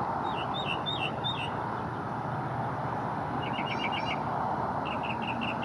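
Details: Northern Mockingbird perched in a small Cedar Elm in Memorial Park, Houston, Texas, sings varied phrases mimicking other birds and a frog: slurred notes, a quick run of six sharp repeated chips, another repeated series; shortly after chasing off about 10 crows.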